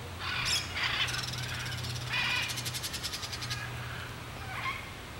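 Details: Crested caracara giving harsh, raspy calls, several short grating bursts and then a rapid rattling series, over a steady low hum and background noise.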